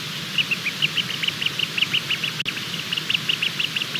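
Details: Bermuda petrel (cahow) chick hatching late at night, 23:33 on 28 February 2020, working hard to break out. It gives short, bright peeps in a steady rapid series, about four to five each second, over a constant low hiss.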